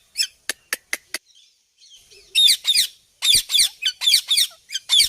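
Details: Ringneck parrot, described as a talking parrot, chirping: a few thin, sharp clicks open, then loud, harsh, raspy chirps come in quick bursts of two to six notes. There is no other clear sound.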